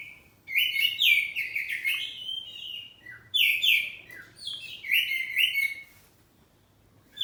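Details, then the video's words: Poci-type oriental magpie-robin kept at home, singing loudly in 'ngeplong' style: three rich bursts of fast whistled and trilled notes, each about two seconds long, with short gaps between them and quiet at the end. "Kacer ngeplong saut2an || kacer poci rumahan || suara kacerpoci"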